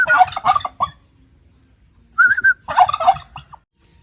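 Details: Turkey calling: a rapid, rattling gobble burst, then a short whistled tone that holds steady, followed by a second rolling gobble, with quiet gaps between.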